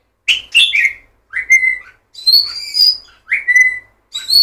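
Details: Murai batu, the white-rumped shama, sings clear whistled phrases: a fluttering opener, then pure slurred whistles that sweep up and level off, each about half a second, separated by brief pauses.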